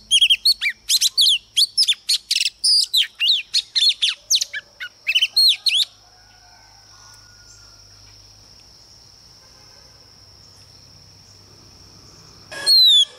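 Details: Female Oriental magpie-robin used as a lure to stir up males, pouring out fast, varied chirps and slurred whistles for about six seconds, then quiet with a steady high whine, ending with a loud whistle.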